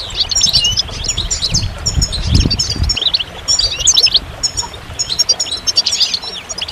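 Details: Goldfinch twittering in bursts of bright, tinkling notes and rapid trills, with soft low thuds early on and brief gaps between phrases.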